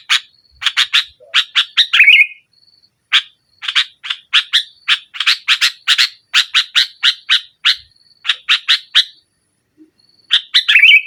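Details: Sooty-headed bulbul in sustained dominant 'nggaruda' song, used to provoke a quiet bird: long runs of rapid harsh chirps, several short trills, and a brief gap near the end before a final trilled burst, over a faint high whine.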